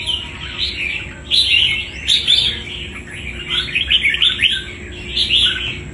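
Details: Wild-caught red-whiskered bulbul with strong fighting quality: bursts of bright, chattering warbled phrases, quick slurred notes rising and falling, coming in waves every second or so over a steady high electrical whine.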